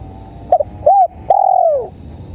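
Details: Tekukur, or spotted dove, in bird-luring playback: a quick double note, an arched coo, then a long drawn coo gently falling in pitch. Low hum and faint high tones behind.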